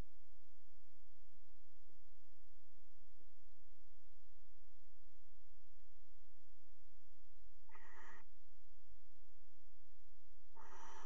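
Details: Nest box in the Axel water tower, 5 February 2018, barn owl pair mating on the rim: long quiet stretch, then two short hissing screeches near the end, about three seconds apart.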